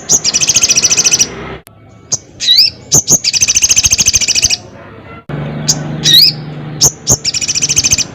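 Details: Crested jay calling a rival: loud buzzy rattles of rapid repeated notes, broken by twisting upward whistles and single sharp clicks, with a low hum in the quiet gaps.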